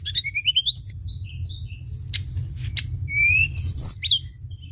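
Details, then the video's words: A Sunda bush warbler singing actively, in a lure recording, gives a quick run of rising, whistled notes, then sharp buzzy strokes and a bright, slurred whistle, over a low steady hum. "tledekan gunung gacor"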